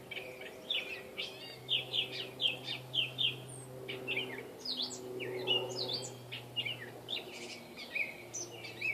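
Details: Backyard catbird in Saskatoon, outside its normal northern range, singing a lively mix of sharp chirps, quick slurred whistles and scratchy notes in rapid succession, low mechanical hum steady in the background.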